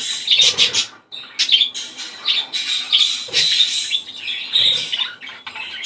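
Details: Budgerigar song to prompt breeding: dense, nonstop scratchy warbling with sharp squeaks and chattering phrases, a brief gap near the start, and faint low knocks underneath.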